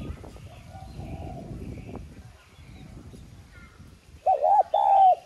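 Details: Spotted dove lure bird with a 'son' voice style, cooing to stir other doves into singing. Faint coos under rumbling noise, then two loud, clear, slightly wavering hooted coos close together near the end.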